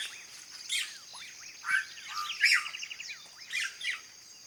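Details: Red-rumped cacique singing on a rural property at 06:50 in the morning. It gives a varied run of liquid, gurgling notes and fluty slurred whistles, some rising and some falling. A steady high insect hum sits in the background.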